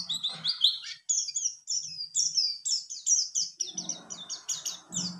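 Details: Caged mountain white-eye of the buxtoni form, a young bird kept about ten days, beginning to sing; rapid high twittering song of sharp chirps and slurred notes, with some low background noise toward the end.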